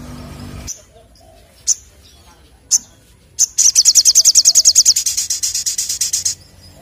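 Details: Sunbird giving three spaced sharp chips before a long, rapid, high-pitched trill of clicking notes that softens toward its close.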